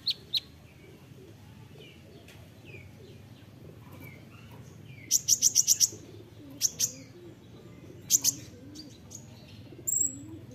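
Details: Olive-backed sunbird tutoring song, 'nembak rapat' style: soft scattered chips, then a quick burst of five bright high notes and a few spaced doubles, over a murmuring low background.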